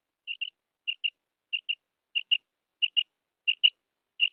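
A female quail gives sharp, high paired notes, a quick double 'kwip-kwip' repeated about every two-thirds of a second over a silent background.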